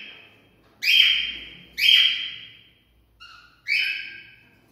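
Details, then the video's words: Song of a cockatiel aimed at stimulating mating: loud piercing whistles that fall away in pitch, two close together, then a soft short note and a final drooping whistle. "Cocktail stimulating sounds for mating"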